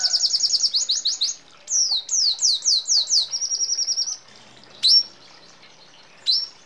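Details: Red siskin song in a rolling training recording that includes sparrow, hummingbird and canary phrases. A rapid high trill leads into down-slurred whistles and a buzzy run, followed by two sharp isolated calls.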